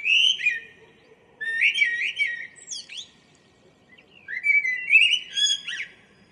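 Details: A common blackbird sings in the morning near home on 2 April 2013; rich, low mellow warbles come in two phrases separated by silence, each with a squeaky tail.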